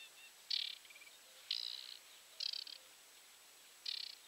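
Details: Wild aquatic warbler calling from grass at 53.29 N, 22.60 E, watched through a telescope, giving four short, quiet, buzzy chattering bursts about one second apart, each a rapid rattle of high notes, over steady faint hiss.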